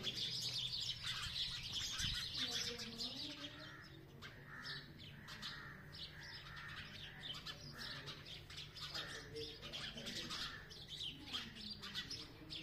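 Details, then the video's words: Natural sparrow chirping: many birds calling at once in a busy, overlapping stream of quick high chirps, with a few lower sliding calls from other birds and a constant low hum underneath. "Sparrow bird sounds of chirping | chidiya ki awaaz natural"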